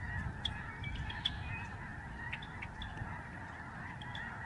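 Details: Thousands of migrating Lesser Snow Geese flying overhead at a Canadian bird sanctuary in November 2011, giving a steady wall of yelping honks with a few sharper high calls standing out, over a low background roar.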